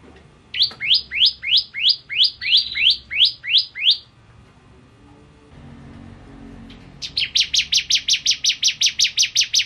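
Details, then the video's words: Bar-winged prinia in full song on a tutor recording for training songbirds: a train of rising, chirpy notes, then a pause, then a faster, higher series of short, clipped notes repeated rapidly until the end. "Burung Masteran Ciblek Kristal Gacor"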